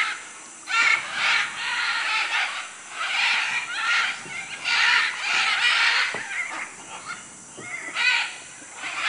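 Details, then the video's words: Macaws in Manu, Peru, giving harsh, raucous squawks in overlapping bursts, several birds calling at once with short gaps between rasping outbursts. "Guacamayos Manu Perú"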